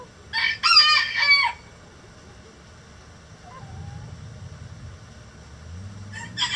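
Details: Egg-laying chickens of a mixed flock in a coop: a loud harsh stuttering squawk burst at the start, then quiet with low rumbling hum and a faint short call, and another squawk beginning at the end.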